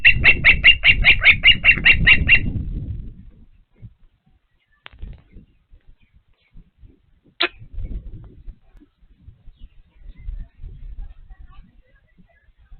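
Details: Osprey at Patuxent River Park Nest 1 while feeding: a rapid run of about a dozen shrill chirps over heavy rumbling, then quiet with one sharp note and scattered low taps.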